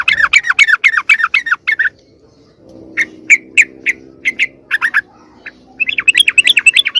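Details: Lure call of sooty-headed bulbul meant to attract other birds: a quick run of bright chirps, a pause with a faint low hum, then spaced single chips and a final fast chattering series.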